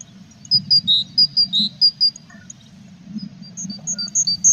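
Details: Tit by a nest box holding chicks in April; quick alternating high and lower notes in a short run, then fainter higher notes after a pause, over a low steady hum.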